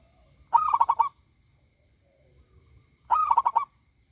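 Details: A local zebra dove in full, loud song delivers two rapid cooing phrases about two and a half seconds apart. Each phrase starts on an accented note and then runs through several quick, bubbling repeated notes.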